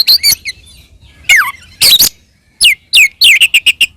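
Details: Oriental magpie-robin fighting song for provoking other magpie-robins: a few scattered phrases, a sharply falling whistled slur, scratchy notes and a quick series of short repeated chirps.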